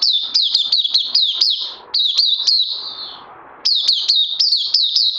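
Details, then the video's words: Oriental white-eye kept in captivity, 31 May 2020, second day on supplements, chirping rapidly in high, down-slurring notes, breaking off for over a second of hiss before the fast chirps resume. "Puteh Crazy LG"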